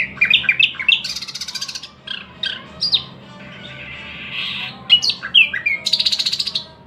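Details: Thrush nightingale song mixing quick slurred whistles with two long dry rattling trills and a sustained harsh buzzy note, rich and varied in tempo, with a low background hum.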